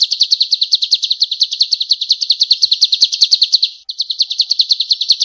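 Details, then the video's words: Male golden-bellied gerygone singing persistently, a recording used to train other songbirds: a fast, unbroken run of high, thin downslurred chirps, about eight a second, with one brief pause near the four-second mark. "SUARA BURUNG CIU KUNYIT JANTAN GACOR"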